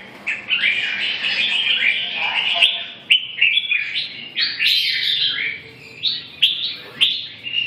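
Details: Red-whiskered bulbul singing a run of quick liquid warbles and chirpy whistled notes, phrases broken by sharp clicks and short gaps, steady low hum underneath.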